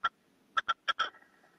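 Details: Caged male red-legged partridge decoy calling to wild partridges gives a few rough, harsh notes, one alone and then two pairs, the last trailing into a fading buzz.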